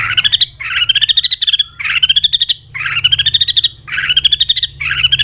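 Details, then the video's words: White-rumped shama singing a fired-up contest song with continuous tail flicking; rapid buzzy trilled phrases, each rising slightly and lasting about a second, repeated five or six times with short gaps between. "chòe lửa đạt điểm lửa hót đánh đuôi liên tục"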